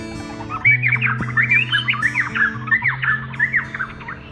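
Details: A varied honeyeater that has just hopped onto its nest gives a rapid, complex run of loud chirps and slurred whistled notes, busier than its usual four-note call, over soft background music.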